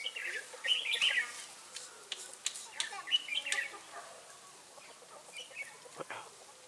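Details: Red-whiskered bulbul during trapping at Ba Thá, 18 December 2016. It gives two quick, sharp, chattering phrases, then quieter scattered chirps, with clicks and knocks throughout.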